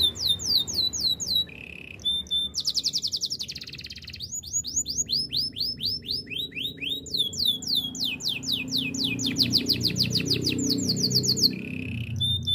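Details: Canary song for training young singers, long and varied: rapid high swooping whistles, a dense rattling roll, a low buzzy trill, and runs of repeated descending slurs about four per second.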